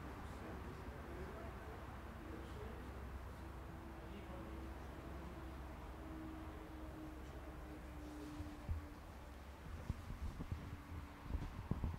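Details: A steady low rumble with a faint humming drone and murmur, and no clear animal calls.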